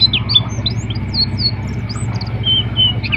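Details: Oriental white-eye, Dakun type from Pacitan kept as a contest bird, giving a quick stream of thin high chirps and short slurred whistles over a steady low engine-like hum.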